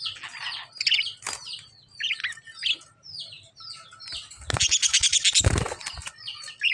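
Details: Lovebird chirping: a busy run of short, high, sharply falling chirps in quick irregular succession, broken by louder harsh broadband bursts near the end, with a faint low hum beneath.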